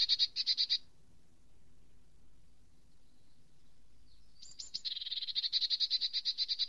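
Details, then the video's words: Eurasian nuthatch with fast, buzzy trilled series of high notes: a short burst, a pause of about three seconds, then a few higher piping notes leading into a long rapid trill. "Brhlík lesní, Eurasian nuthatch, Kleiber, Boomklever, Обыкновенный поползень,Kowalik zwyczajny"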